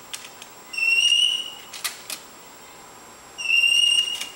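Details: Pet lorikeet playing around on a coffee table indoors: two clear, steady high whistles about a second long, separated by a pause with short clicks and taps, in a small room.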